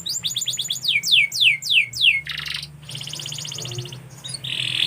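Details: Canary song opening with fast repeated downward-swept whistled notes, followed by a softer buzzy rolling trill and a long high tone, over noticeable background hiss and low hum.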